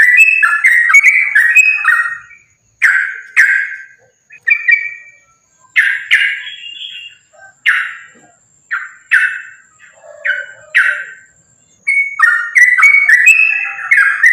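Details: Sooty-headed bulbul, fighting song used as a lure: rapid chattering whistles at first, then spaced, sharp downslurred notes with silences, before a fresh burst of busy warbling at the end.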